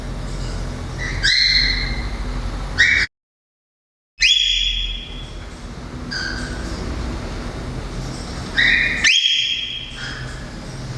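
A cockatiel gives bright, rising whistled chirps in short bursts, with a brief pause between.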